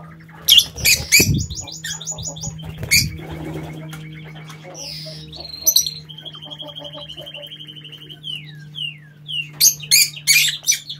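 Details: Aviary lovebirds chatter in a busy mix of loud shrill squawks, buzzy trills and short rising chirps, several birds overlapping, over a steady low electrical hum.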